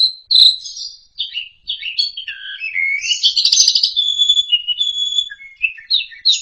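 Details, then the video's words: Loud masteran song of an Asian pied starling (jalak suren): a varied run of quick whistles, slurs and chirps jumping up and down in pitch, with a harsh burst in the middle and a steady whistle after it. "MASTERAN AMPUH!!! JALAK SUREN SUPER NGEPLONG KICAU PALING NGERIWIK"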